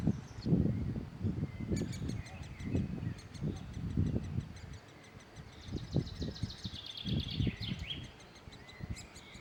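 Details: Great spotted woodpeckers feeding their young: fast trains of high ticking and chirping notes, swelling into a falling squeaky chatter, with low knocking and rustling throughout.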